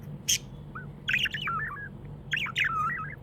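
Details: A happy pet budgerigar chirps in two short warbling phrases, each a cluster of rapid up-and-down squeaks ending in a lower drawn-out note, after one sharp click, with a constant low hum behind.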